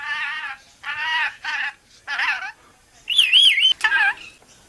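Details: Pet talking rainbow lorikeet: four raspy, voice-like phrases, then a bright wavering whistle and one last gruff phrase; no other sounds stand out.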